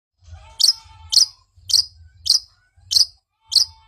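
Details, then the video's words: Long-tailed shrike song used to prompt a silent bird to sing: six sharp, high chirps spaced about every half second, each with a faint buzzy lead-in, over a low hum. "Pancingan cendet macet Agar cepat bunyi"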